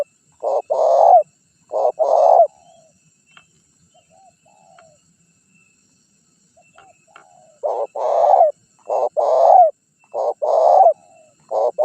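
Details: Spotted dove call played as a lure for wild birds and rival males. Bursts of gruff, rolling coo phrases, short note then longer coo, repeating rhythmically, with a quiet stretch midway before the series resumes.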